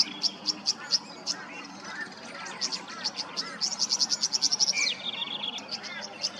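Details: In Queensland, Australia, a tawny grassbird gives rapid bright ticking notes building into a quick high series, then a brief lower buzzy phrase, against a busy background of other small birds.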